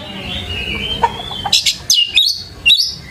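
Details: Oriental magpie-robin (kacer) lure song, used to provoke a kept bird into answering and singing; a steady whistled note, then loud sliding whistles and sharp chirps in quick bursts during the second half.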